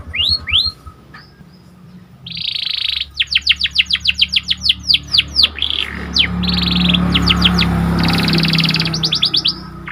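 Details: Pied 'panda' symmetric canary singing actively, its song used to stir up other canaries. Whistled rising notes, then a buzzy trill and a long run of fast repeated sweeping notes, ending in rapid trills over a low steady hum.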